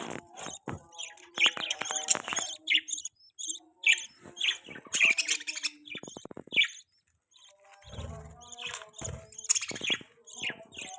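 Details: Pet baby budgie twittering: clusters of sharp squeaky chirps and chattering notes separated by short gaps, with brief quiet spells and faint clicks.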